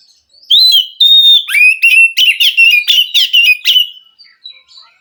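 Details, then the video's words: Wild Oriental magpie-robin from the forest singing to rouse a captive bird that will not sing. A long clear whistle opens a quick run of varied sharp whistled and chirping notes, fading into faint twitters. "Suara Kacer asli hutan mampu merespon Kacer yang malas bunyi Kacer macet"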